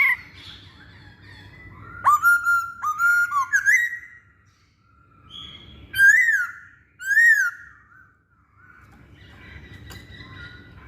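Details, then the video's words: Actively singing masked laughingthrush, a recording used to lure other birds: bright whistled notes in two bursts, first a run of four level then upturned whistles, then two loud arching whistles, with quiet hum between. "Burung Poksay Hongkong Gacor"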